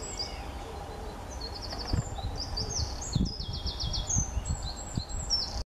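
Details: Eurasian blackcap in Woesten, Belgium, in April 2016, delivering a fast, high, chattering warble of quick trilled phrases over a steady low rumble of wind or distant noise.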